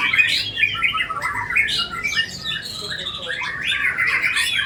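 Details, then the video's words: White-rumped shama with a richly filled, varied song: quick bursts of bright whistles, trills and chirps, sliding up and down in short phrases separated by brief gaps, with a faint low hum beneath. "MURAI BATU SUJUtt.. ISIAN SUPER MEWAH.. PERIH BETUL SUARA NYA!!"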